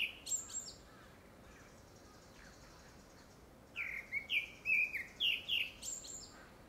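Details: Grey-backed thrush courtship song, apparently for a second breeding: a brief high phrase, a long pause, then a varied run of clear whistled and slurred notes with sharp high accents, over steady low background hiss.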